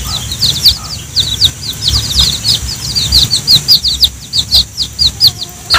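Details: Chicks with their mother hen, being fed ripe banana: a steady stream of high, thin, downslurred peeps, several per second, overlapping from multiple chicks.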